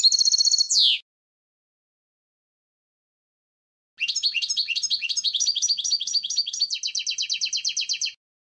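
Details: Goldfinch singing: a short burst of buzzy, rattling notes ending in a down-slurred twitter, a few seconds of silence, then a lively high twittering run that ends in a rapid, evenly repeated trill.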